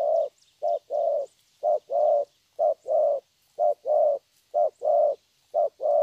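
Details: Vietnamese young spotted dove, wild-caught, delivering its 'thổ' song: paired hollow coos, short note then longer one, about six pairs in regular rhythm, roughly one per second.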